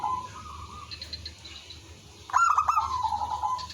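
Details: Village zebra dove singing as a lure, with others answering: faint rolling coos from afar, then a close, loud burst of staccato notes leading into a long, slowly fading trill.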